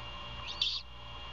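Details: Great horned owls at a Savannah nest in a former Bald Eagle nest, early morning on 21 February 2022, as the mother feeds her owlet: one short harsh, hissy screech over steady low background hum.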